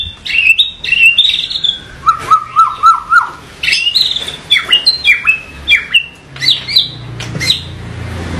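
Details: White-rumped shama in varied 'tembakan' song: bright whistled notes, a quick run of repeated lower slurred notes, then more high whistles and sharp accents.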